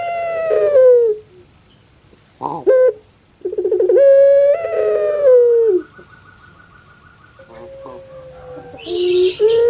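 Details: Captive puter pelung dove kept in Indonesia, its voice likened to a crying baby: drawn-out wavering coos, some falling at the end, separated by short clicking notes, with a burst of hiss near the close.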